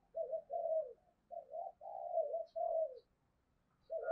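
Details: Spotted dove used as a decoy, cooing to incite a fight: a string of soft, low, slightly wavering coos in short phrases with brief gaps, fairly quiet, faint background hum.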